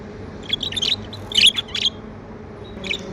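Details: Pet budgerigars chirping happily at home: a few short bright chirps clustered near the one-second mark and at one and a half seconds, then a single late chirp, over a faint steady indoor hum.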